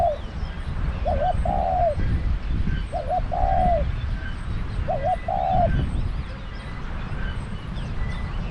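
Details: Spotted dove kept as a trapping decoy coos three times roughly every two seconds, each a quick double note followed by a drawn-out slurred coo, over steady low-frequency background noise.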